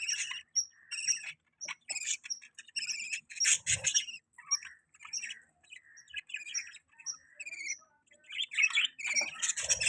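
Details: Domestic budgie repeats short, clipped chirps and thin whistled notes in quick series with many short pauses, plus a brief scratchy squawk and light thuds.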